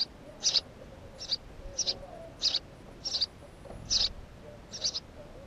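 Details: House sparrow calling: a series of about nine short, high chirps spaced roughly every half second to second across five seconds, with a faint low background hum.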